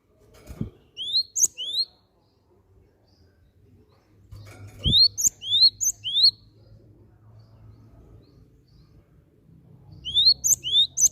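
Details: Lure call of a gelatik batu (cinereous tit) for making other birds sing: three spaced groups of two to four rising, whistled notes over a low hum and occasional thumps.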